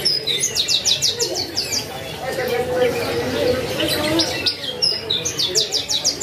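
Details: Tutor song of a vigorously singing Javan bush lark, meant for training other birds: rapid trills of about six high clipped notes open and close the passage, with softer mixed warbling and low hum between.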